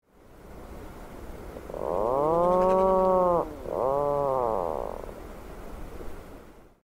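Atlantic Puffin giving two low, moaning notes: a long arching groan of nearly two seconds, then a shorter one that dips and rises, over faint hiss.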